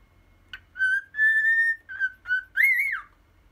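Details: Pet cockatiel, ten years old, whistling its rendition of the song Poppippo: a sharp short note, then sustained steady whistles of differing lengths, two short notes, and a final loud tone that rises and falls, in a quiet room.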